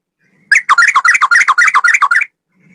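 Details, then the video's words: Sooty-headed bulbul male delivering a long unbroken rapid phrase: nearly two seconds of quickly repeated bubbly whistled notes wavering up and down. "Burung trucukan gacor ropel 1 nafas panjang"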